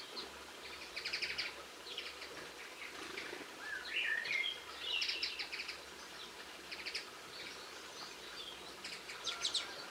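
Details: Linnet song recorded in Cornwall on 22 March 2016, a run of rapid twittering trills and chirps with short whistled slurs in the middle, broken by brief pauses and rising again toward the end, over faint ambient hiss.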